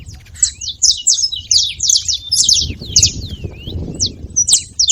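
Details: Several saffron finches calling together, a busy overlapping stream of high, sharp chirps and short downslurred notes, with a low rumbling background noise.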